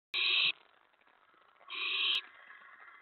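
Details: Owl at a nest during a mouse delivery, recorded 4:46 AM on May 15, 2017: two harsh, hissing screech bursts, each about half a second long, separated by a quiet gap of just over a second.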